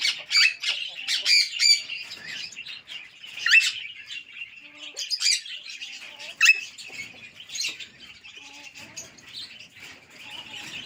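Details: A talking Alexandrine parakeet, which speaks Urdu and English, chatters in shrill, raspy bursts, mixing loud squawks with quicker word-like phrases in a steady stream.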